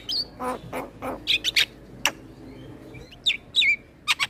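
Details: Male Javan myna's song, recorded as a tutor for other mynas: scattered short chips and a few whistled notes, with loose rasping bursts between brief pauses.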